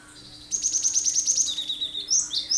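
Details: Cinereous tit in full, sharp-shot song, a lure to get other birds singing and imitating; a fast train of about ten high ringing notes that slides lower at the end, followed by two more bright notes.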